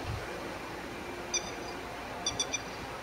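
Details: A grey-headed lapwing on a paddy-field bank, May 1, 2012, threatening resting ducks (not yet its territory), gives one sharp, high call, then a quick run of three more over a steady outdoor rumble.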